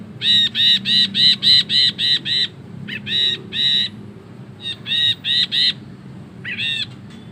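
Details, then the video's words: Ashy bulbul giving its long 'ngekek panjang' chatter, a recording meant for tutoring songbirds. A rapid run of about eight harsh, nasal notes, a pause, then further bursts of repeated notes over a low background hum. "BURUNG BRINJI KELABU GACOR NGEKEK PANJANG"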